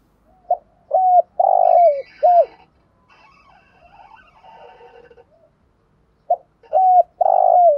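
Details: Decoy spotted dove in 'thúc gù' cooing. Two full phrases, each a short note, a clipped coo, a long burred falling coo and a last coo. Faint chirps from other birds come between them.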